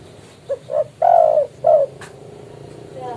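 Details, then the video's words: Spotted dove calling vigorously to challenge a rival, used as a trapping lure: two brief soft coos, then a long drawn-out coo and one more shorter falling coo, over faint background hum. "BURUNG TEKUKUR/DERKUKU GACOR MEMANGGIL LAWAN COCOK BUAT MIKAT"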